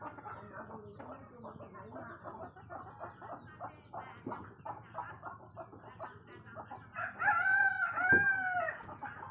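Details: Dawn in a chicken yard as morning breaks, heard on waking: busy rapid clucking for several seconds, then a strong, ringing rooster crow with stacked harmonics, rising and then sliding down.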